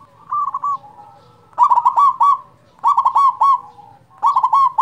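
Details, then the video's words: Zebra dove, a local bird with a big voice, singing to lure and stimulate quiet zebra doves: rapid stuttering cooing phrases near one pitch, bursts of quick notes with sharp clicks, repeated about every one to two seconds, faint low hum beneath. "perkutut lokal suara besar cocok untuk pancingan perkutut malas bunyi"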